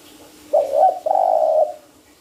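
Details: Trapping lure call of a spotted dove: a short undulating coo, a tiny pause, then a longer flat coo tailing off softly, a faint hum beneath.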